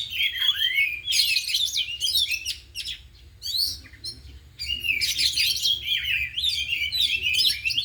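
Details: Afternoon training of four caged oriental magpie-robins, all in song and showing off isian imitations. A sweeping whistle opens, then harsh chattering bursts, brief gaps and renewed bright, varied twittering, with low background hum.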